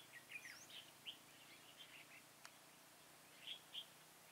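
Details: Red-whiskered bulbul decoy singing to lure wild bulbuls into a trap, recorded 1 November 2017 in Vietnam: short faint chirps and whistled phrases high in pitch, scattered in brief bursts over a quiet rural background with one sharp click.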